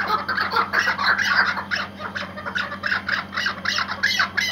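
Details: Tethered Iraqi white hunting partridge calling in quick bursts of coarse, squawking chuk notes, roughly three per second, rising and falling in loudness over a faint steady background hum.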